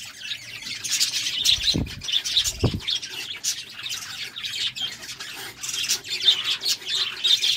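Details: Courting budgerigars chatter without a break, a dense stream of raspy chirps and ticks broken by two low thumps near the start.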